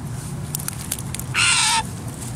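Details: A parent Blue Jay, worried about a person touching its fledgling that has been on the ground for two days, gives one loud, harsh, rasping cry of about half a second, dropping slightly at the end, after a few faint high ticks over low background rumble.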